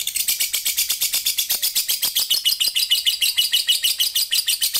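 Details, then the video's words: Lovebird from Sambas, West Kalimantan, singing in an online singing competition: a long, unbroken, high-pitched chattering trill made of rapid pulsing notes, shrill and busy throughout, with no other clear sounds. "LOMBA LOVEBIRD ONLINE 15"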